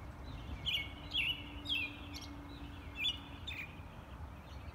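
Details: American robin singing: short whistled, warbling phrases, each slurring up and down, given in bursts about every half second with a longer pause midway, over a steady low background hum.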